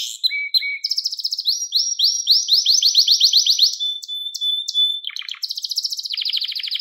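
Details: A canary sings in a recording for teaching young canaries: two low whistles, long series of rapid rising sweeps, a sustained flat tone, then dense rolling trills.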